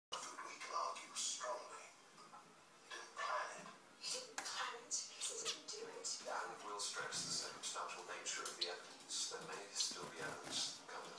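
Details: A young male zebra finch fledgling gives a run of short, nasal, buzzy calls in quick succession.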